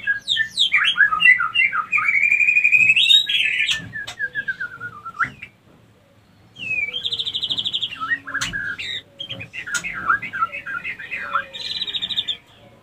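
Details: Breeding lure from a female white-rumped shama, meant to bring other females into condition to mate: bursts of varied whistles and sustained buzzy trills, a falling series of notes, a silent gap, then more trilled and warbled phrases.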